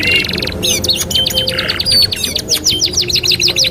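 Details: Canary master song for training: quick trills and whistled notes give way to a burst of buzzy sound, then a run of rapid descending chirps.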